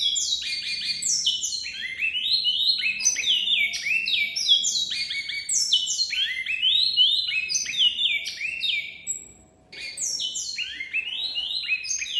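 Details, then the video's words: Great-billed seed finch (Oryzoborus maximiliani, bicudo/towa towa) from Brazil, a caged song bird, singing a rapid, nearly unbroken run of clear whistled notes, each sliding down or up, in varied phrases with one brief pause. "BICUDO BIRD Towa towa Bird"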